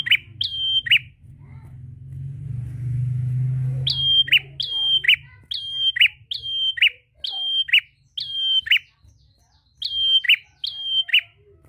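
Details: Prinia calling a rival with lively song: after a low rumbling background, a run of about eight high, level whistles, each ending in a lower rasping chip, repeated roughly every second.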